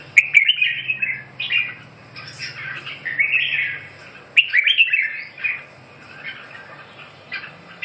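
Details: Red-whiskered bulbul song of lively, bubbling, whistled phrases with slurred rising and falling notes. The bird sings in several bursts separated by short pauses, with a faint steady hum in the background.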